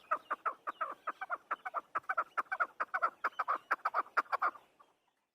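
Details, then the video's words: Afghani chakor, a chukar partridge called a hunter chakor, giving a fast run of short, harsh, clucking notes, about two per second and slightly irregular, that fade out after four and a half seconds. "Afghani chakor voice | Hunter Afghani chakor sound | chakor ki awaz | chakor bird sound"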